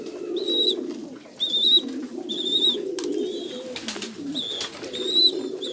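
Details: Kept Jambu pigeons cooing in a low, rolling, continuous drone, overlaid by bright repeated chirps from other birds at short intervals.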